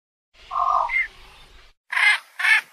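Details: Javan pond heron uttering a drawn-out nasal squawk followed by two short, loud, harsh barking calls.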